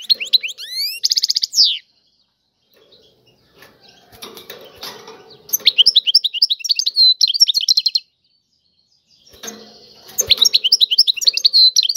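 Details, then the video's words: European goldfinch tiwawati song. Lively twittering runs and a buzzy trill open the recording, with faint clattering and rustling in the pauses between phrases. "اعظم تغريد الحسون طيواواطي"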